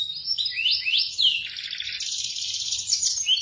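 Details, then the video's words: Indonesian local canary giving melodious song: a few upward-sweeping whistles, then a dense buzzing trill that climbs higher and runs on without pause. "Suara kicau KENARI yang MERDU"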